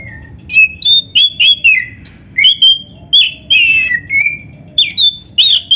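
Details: Lively kacer (Oriental magpie-robin) song packed with imitated phrases, recorded to train other birds: steady string of short, sharp whistled phrases, varied in pitch, some rising, some falling, one after another with brief gaps.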